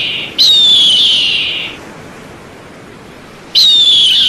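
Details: A piercing whistled eagle cry that drops gradually in pitch and fades out. A quiet pause follows, then a second matching scream begins at the end.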